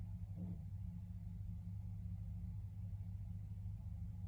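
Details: A steady low engine rumble fills the recording throughout, with no animal calls heard.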